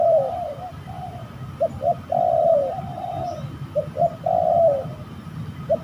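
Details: Spotted dove calling as it fights during trapping: two quick coos, then a long vibrant croo, the pattern repeated back to back over a steady low hum.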